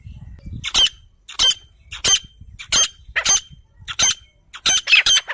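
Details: Grey francolin, called Sindhi teetar, in a hunting setting. Harsh, squeaky broadband notes come in eight bursts, about one every 0.6 seconds, with a quiet background between them.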